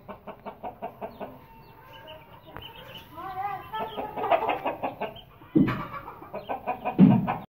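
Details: Young Aseel chickens, aged 20 days to 2.5 months and kept for sale, make quick rhythmic low clucks, with a few wavering higher notes in the middle and louder clucking toward the end.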